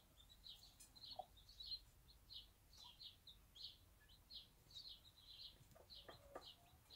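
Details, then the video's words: One-day-old bantam chicks with their mother on a small backyard farm, peeping in short high chirps repeated quickly, with faint low sounds and background noise. "Bantam Mom with her cute one day old chicks"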